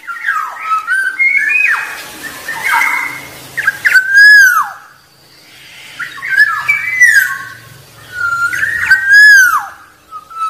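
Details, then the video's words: Black-naped oriole in the wild, its song said to draw rivals: three phrases of rich, liquid whistles, each ending in a loud arched slur, spaced a few seconds apart with quieter gaps. "Suara Burung Kepodang liar Paling Ampuh Memanggil lawan"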